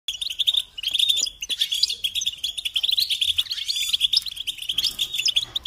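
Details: ['European goldfinch song: a fast, continuous twittering of bright, tinkling chirps and trills, with rapid notes running almost without pause for the whole stretch.']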